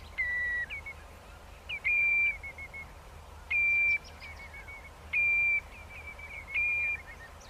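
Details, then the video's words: Flock-gathering calls of a common redshank, five loud level whistles spaced about every one and a half seconds, each trailing into softer lower notes, over a faint steady background hum. "tiếng chim choắt nâu chân đỏ gọi đàn"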